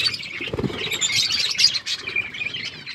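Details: Budgies eating seeds and chirping, a steady tangle of high, quick twitters and scratchy warbles over a brief low thump of movement.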